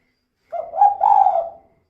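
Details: Calling female spotted dove, kuk-kuk style, used as a lure to get other birds calling quickly: one low phrase of about a second, a brief coo running into a longer, slightly rolling purr that fades out.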